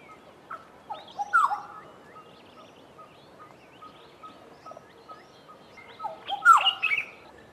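A black-headed oriole gives two liquid, fluty whistled phrases about five seconds apart. Soft, repeated short notes from other birds carry on between them.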